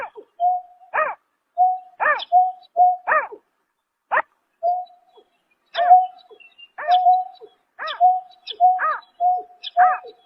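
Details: Greater painted-snipe calling on a March night in 2024. Even, hollow hoots alternate with brighter arched notes in an irregular series, about one call per second, with nothing else audible.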